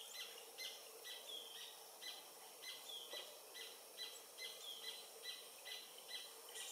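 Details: Paradise Jacamar (Galbula dea dea), an adult of undetermined sex, singing near the Comte river in French Guiana at 11:00 in November. Sharp high notes repeat steadily, about two per second, over light background noise.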